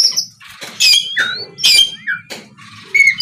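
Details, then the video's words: Oriental magpie-robin singing to provoke rivals: harsh rasping bursts alternating with short sliding whistles, over a faint low hum. "TERAPI SUARA BURUNG KACER GACOR NGEPLONG INI DIJAMIN BIKIN LAWAN LANGSUNG NYAUT BUNYI GACOR!!"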